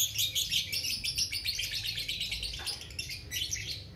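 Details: Balibu, or young, lovebird singing vigorously in the long ngekek style: a dense, continuous stream of high, scratchy chattering notes with no pause, over low background rumble.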